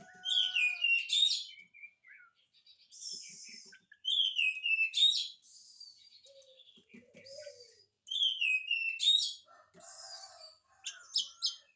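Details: Oriental magpie-robin song meant to trigger answers from other magpie-robins: a similar loud whistled phrase returns about every four seconds, linked by softer chatter and scratchy notes.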